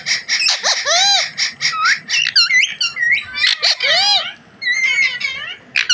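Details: Rose-ringed parakeet, called a desi parrot, chattering almost nonstop in a talking bout, with a rapid run of harsh, rasping, arched harmonic notes and squeaky syllables that barely pause.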